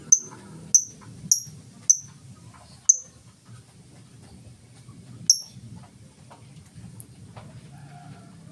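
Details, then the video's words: Lovebird giving ngetik song with no ngekek, meant to lure other lovebirds into singing; short piercing high ticks, five in the first three seconds, then a pause and a few scattered ones, with soft low background hum. "Lovebird full ngetik cocok buat pancingan Lovebird mu!!!"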